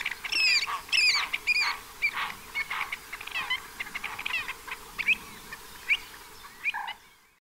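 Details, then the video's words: Pied avocets at an observatory in the Séné nature reserve, Gulf of Morbihan, France, on 29 April 2023, in spring when the first chicks hatched. Sharp, clear, ringing calls come in quick uneven bursts, about two per second, with fainter calls behind them. "AVOCETTE Élégante/Printemps/Premières Naissances ! BRUITX"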